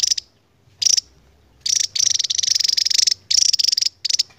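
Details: Long ngebren song of the endemic Javan tesia: short shrill trilled bursts, then a sustained rapid buzzy chatter of well over a second, then further high clipped trills.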